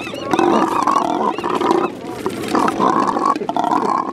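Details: Double-crested cormorants giving courtship sounds from a tunnel system within a colony on East Sand Island, Columbia River: deep, hoarse grunting and croaking in long rough bursts, several overlapping, with brief pauses.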